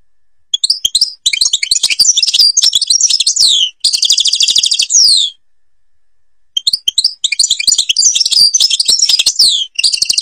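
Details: Algerian European goldfinch in Babas forest Tiberli song: two bursts of bright twittering and tinkling phrases with a buzzy rattle in the middle, separated by a pause of about a second.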